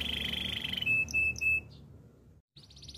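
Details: Canary song offered for training: a rapid rattling trill, then a pure steady whistle broken by short high chips. A brief silence follows, then a fresh burst of quick high notes starts. A low background hum is present.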